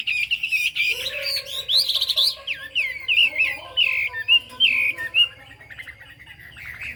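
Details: Chinese hwamei delivering a varied song of twisting whistled phrases and quick trills, with a faint steady low tone beneath, fading into softer scattered notes after about five seconds.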